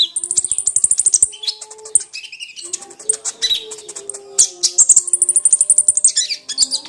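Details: Crimson sunbird song, used to coax a silent, lazy sunbird into singing: very high, rapid trills of evenly repeated sharp notes, broken by squeaky twitters, over a steady low hum.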